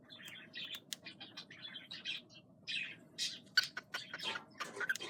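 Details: A cockatiel on a Sunday morning chirps busily with short, scratchy, bright notes and quick chattering bursts.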